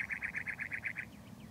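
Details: A cactus wren on a cholla in McDowell Mountain Park gives a fast, harsh run of about nine rasping notes, roughly eight per second, then trails off into fainter chirps over a low background rumble.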